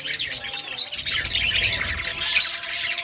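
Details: Outdoor colony of budgies giving a busy chorus of shrill, buzzy chirps and squeaky warbled notes, overlapping continuously, with a brief sharper squeak near the end.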